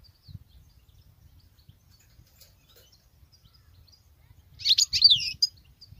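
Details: Female European goldfinch singing like a male: near silence with faint low rumble for several seconds, then one brief, dense burst of high, buzzy twittering notes close to the end.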